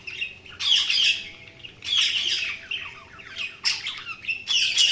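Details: Budgerigars chattering in rapid harsh squawks and warbled chirps, overlapping bursts roughly every second, bright and scratchy throughout.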